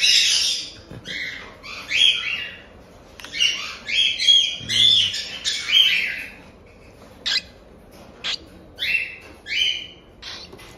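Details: Raspy begging of cockatiel chicks about one month old, captive-bred in Tokachi, Hokkaido, Japan: a run of rough, buzzy squawks, dense at first, then spaced single rasps with quiet gaps between.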